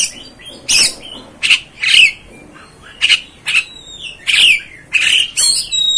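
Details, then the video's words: Oriental magpie-robin (kacer) song, meant to provoke and fire up kept kacer: harsh, squawky bursts mixed with bright whistled notes, about eight short phrases separated by brief silences. "MEMANCING | MEMBAKAR EMOSI KACER ANDA"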